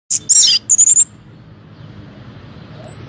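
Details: Orange-headed thrush song played as a lure to make other birds respond. A quick burst of high, sharp whistled and slurred notes, then a thin high whistle at the end.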